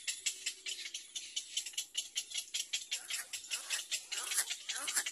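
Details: Two hungry Little Egret chicks in a nest beg with rapid, harsh, buzzy chattering pulses, about 100 a minute and uneven. Some notes slur into short sweeping rasps near the end. There are no other clear sounds.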